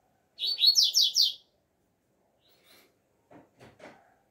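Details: Double-collared seedeater singing outdoors in the song style called alegria tuí tuí zeo zeo: a quick run of five buzzy, rising high notes in about one second, then a pause and a few soft low knocks.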